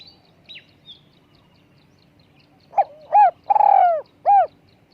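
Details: Spotted dove with a small, high voice for luring: a few faint high chirps from another bird at first, then a full phrase of short note, arched coo, long burred coo and closing arched coo.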